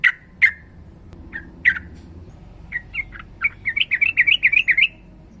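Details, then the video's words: Yellow-vented bulbul, fighter bird, female calling male, long ropel singing used as a master recording. Several separate sharp chirps, then a fast run of bubbly rising notes, about four per second. "TRUCUKAN GACOR NARUNG ROPEL PANJANG"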